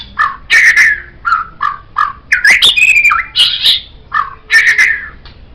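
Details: White-rumped shama used as a master recording for teaching cage birds, giving rich varied whistles: short mid-pitched notes, rising slurs, a buzzy burst and repeated fluty phrases with brief gaps.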